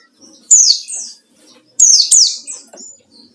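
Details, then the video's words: White-eye in rival-seeking 'ngalas' song, a lure sound: high, sweeping downward chirps, a single phrase followed by a doubled one, each ending in thin twittering notes. "burung pleci ngalas cari lawan//ampuh buat pancingan"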